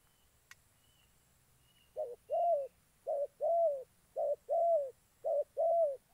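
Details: A spotted dove acting as a trapping decoy in Gia Lai, Vietnam. There is a short quiet spell and a click, then three phrases, each a brief coo followed by a longer, drawn-out mellow coo, spaced about a second apart.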